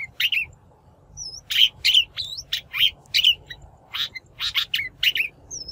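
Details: Shrike lure recording of natural-sounding calls, used for trapping or training captive birds: harsh, buzzy chattering bursts mixed with short rising whistled notes, irregular, in quick loose series, over a faint low background hum.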